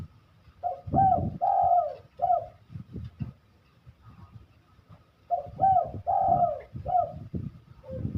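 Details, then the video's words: Low soft cooing from a spotted dove in full song, two multi-note phrases each built from a short rising note, a long purring coo and a clipped ending, separated by a few seconds of faint background hum. "deruk gacoran"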